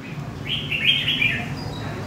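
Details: Wild-caught adult red-whiskered bulbul from central Vietnam giving a single short, fluid warbled phrase of slurred whistles over a faint low rumble.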